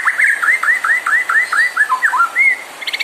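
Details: White-rumped shama song meant to provoke other birds into singing: a fast string of rich, arching whistled notes, repeated about twice per second, ending with brief high ticks.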